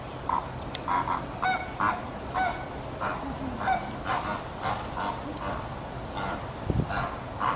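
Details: Light flamingos moving into a winter enclosure, giving a chorus of nasal, goose-like honks repeated roughly every half second, several birds calling over one another.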